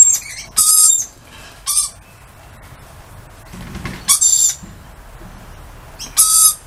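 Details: Outdoor lorikeets calling hello with four loud, buzzy shrieks spaced a second or more apart, the air quiet between them.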